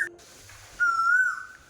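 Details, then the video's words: On a very hot, spring-like day, an Asian koel calling from an unseen tree gives a single clear, sweet whistled note that swells slightly and eases off over about half a second, after a brief quieter note. "কোকিলের ডাক শুনলে মনে হয় এটা বসন্তকাল। ভারী মিষ্টি লাগছে ওদের গলা।"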